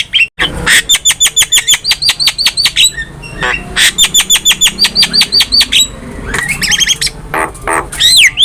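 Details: Javan myna master recording for cage bird training: a fast even string of sharp repeated chirps, around three per second, then mixed whistles and a final swooping note.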